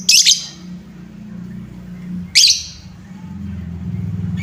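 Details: Lovebird lure sound meant to excite and provoke other lovebirds: two short bursts of shrill, high chirps about two seconds apart, over a steady low hum.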